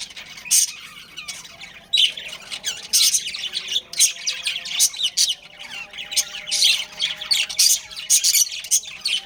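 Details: Pet budgies, a breeding pair, keep up continuous bright chatter. Rapid buzzy chirps and sharp squawks come in uneven clusters, louder bursts near the start and middle, over a quiet background.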